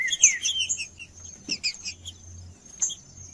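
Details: Green-winged saltator, a male singing to stir up another bird: a short cluster of falling whistled notes and chirps at the start, then scattered brief notes, with a faint steady high whine throughout.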